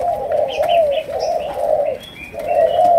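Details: Spotted dove of the Malaysian type in the chiêu gù, sấm đồng style, giving deep throaty coos in long rolling phrases with a short gap near two seconds. Thin whistles and chirps from other small birds are mixed in.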